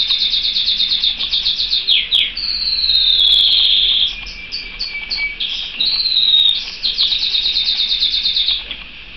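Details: Pet canary singing a continuous high song: fast rattling trills, a long bright sustained whistled note, then quick repeated chirps and further rapid trills, with no gaps.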